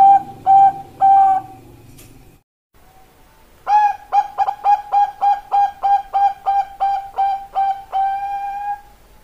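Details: Zebra dove of the Perkutut Bangkok line, a cage-kept singing bird: three ringing cooing notes, a short pause, then a long run of about thirteen evenly spaced clipped coos ending in one longer note.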